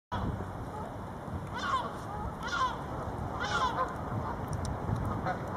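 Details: Canada geese feeding in West Park, Wolverhampton, on 14 February 2011; three honking calls with harmonic bands, about one second apart, over steady low background rumble.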